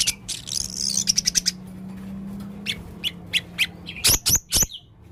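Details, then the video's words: A male Blue-crowned hanging parrot calling busily with odd sounds: a fast chatter of high ticks, spaced sharp notes, then several loud, shrill squeaks close together near the end, with a low steady hum underneath. "burung serindit jantan gacor full suara aneh"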